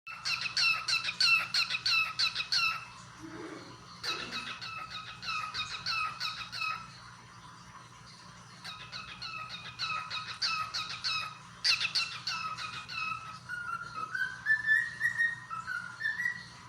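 A cockatiel sings in bursts of rapid, chirpy warbling notes with a few rising whistles.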